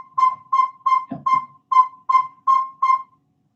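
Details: Northern Saw-whet Owl tooting song, the spring breeding-season call in Vermont woods at night, likened to a truck backing up: steady, even whistled notes on one pitch, about two and a half per second, with a faint low thump midway.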